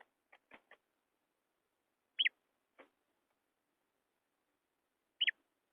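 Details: Female quail calling: a few soft clicking ticks, then two loud, short, high notes that rise and fall, spaced about three seconds apart, in an otherwise quiet setting.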